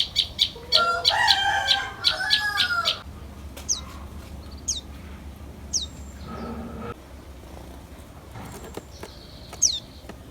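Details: Common tailorbird parent bringing food to its chicks: an opening clamour of rapid high chirps mixed with lower harsh notes, followed by scattered sharp descending chirps and a brief buzzy note.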